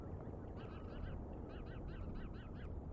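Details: Decorah bald eagle, live camera, morning of 09/08/2022 at 07:10; a quick string of about a dozen high, arched, whistled chips in short groups, over low-pitched background rumble.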